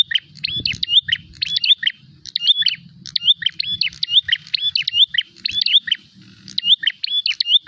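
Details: A prinia seeking a rival calls hard and fast: bursts of high, clipped chirps with short whistled glides, phrase after phrase with brief pauses, against a quiet low hum.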